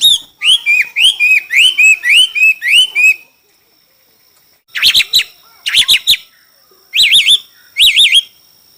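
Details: Song duel by a Chinese hwamei: a rapid string of about ten upswept whistled notes, a silence of over a second, then four loud rolling, looping warbled phrases.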